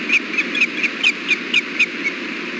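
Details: Wild ospreys at a nest cam during a fish delivery on June 4, 2016, afternoon: a series of short, sharp whistled chirps repeated about every quarter second, slightly falling, over steady background hiss.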